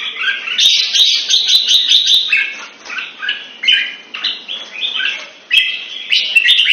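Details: Red-whiskered bulbul, a cage bird in Singapore trained for long gun singing, gives strong chirpy whistled phrases in quick succession, some sliding downward, others jumping higher, with scattered faint clicks behind.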